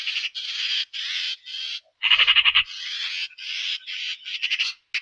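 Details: Eurasian magpie (Pica pica), call.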